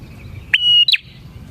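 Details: A single phrase from a lively bar-winged prinia, recorded to lure prinias: a sharp click, a sustained high even whistle, then a short downward-slurred note, over low background hum.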